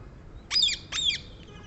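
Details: Rose-ringed parakeet, also called the Indian green parrot: two loud, harsh screeching notes about half a second apart, each a rasping burst with a sharp downward sweep.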